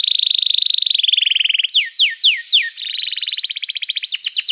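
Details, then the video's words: Canary in loud lively song, used to make other canaries respond: a strong rapid trill, four falling swept whistles, then another fast trill rising into sharp notes. "Kicauan Kenari Gacor Bikin Nyaut kenari lain"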